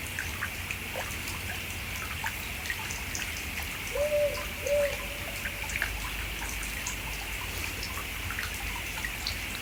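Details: A Powerful Owl in the Southern Highlands, New South Wales, gives a slow, low double hoot, two mellow notes less than a second apart, over steady dripping and trickling water.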